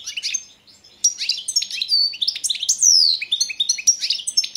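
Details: Singing European goldfinch of the Balkan subspecies balcanica, a 2022 championship entry: a short quiet gap, then continuous sweet twittering with a clear descending whistled slur and tinkling notes.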